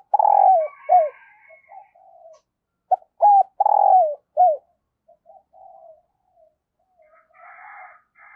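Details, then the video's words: Decoy spotted dove giving urging 'thúc' coos and crowing 'gáy' to call newly caught wild doves: loud, low, hollow coos that bend downward, grouped in short bursts with quieter trailing notes and pauses, and faint higher chatter near the end. "Tiếng Chim Cu Mồi THÚC và GÁY GỌI Bổi Mới"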